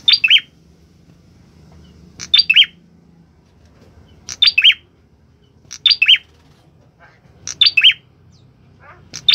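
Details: Lively orange-headed thrush song: crisp, high, tightly grouped chirps in threes, repeated roughly every one and a half to two seconds, with little else heard beyond a faint low hum.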